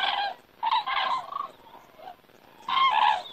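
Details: Cranes on the wing over Estonia at evening in September; two loud bursts of rolling trumpet calls separated by a quieter stretch with softer notes.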